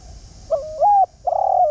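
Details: Spotted dove, a decoy bird calling to lure wild doves: a short low note, then a steady hooting note, then a longer pulsed coo that swells and falls away, with a quiet hiss behind.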